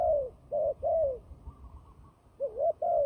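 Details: Turtle dove, called a fighting dove and used in trapping, delivers two quick sets of throaty coos, each note arching and falling, separated by a short quiet gap with low background noise.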